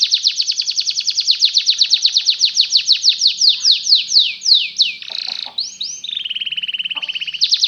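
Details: Belgian canary song used as a tutor for other canaries, made of fast high trills that repeat in even rolling phrases, then break into a buzzy burst and a shorter, faster rattling tour before the trilling starts again.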